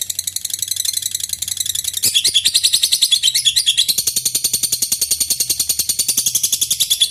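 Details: Long lovebird ngekek bout to prompt rival birds to sing: a quieter rapid chatter for two seconds, then a louder, sharper run of fast high-pitched pulses carrying on without a break.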